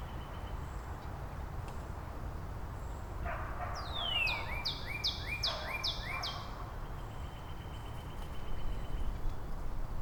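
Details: Northern Cardinals trading song variants in Angrignon Park on March 19; after quiet, a downward slur leads into a rapid string of bright upward-sliding whistles, about six in a row, with steady low hum around.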